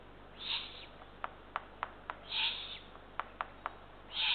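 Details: Eurasian eagle-owl chicks at the nest as small rodents are delivered after midnight, June 2023. Three coarse hissing calls about every two seconds, separated by clusters of sharp clicks.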